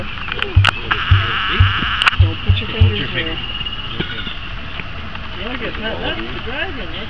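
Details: A male emu (Dromaius novaehollandiae) at the Toronto Zoo gives low, deep, thumping guttural grunts, about six in three seconds, then falls quiet while people talk over a steady background hum.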